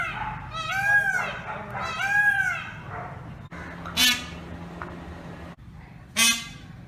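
A peacock gives two loud, nasal, wailing calls in quick succession, then two short harsh bursts follow over a steady low hum.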